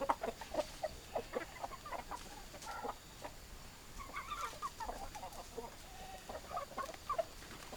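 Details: Hens clucking: a rapid series of sharp clucks at the start, then steady chatter of short overlapping clucks and occasional drawn notes from several birds.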